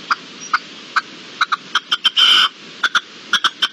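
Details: Wild red-legged partridge recorded in March 2022, giving harsh, clipped chuck notes repeated at uneven intervals of about half a second, with a louder, longer rasping burst midway through the sequence.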